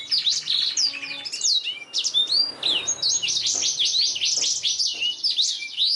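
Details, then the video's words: Black-throated canary in rich song meant as a training master for canaries, with fast chirps, looping whistles and rolling trills packed closely together. "BLACKTHROAT GACOR SUARA JERNIH UNTUK MASTERAN KENARI"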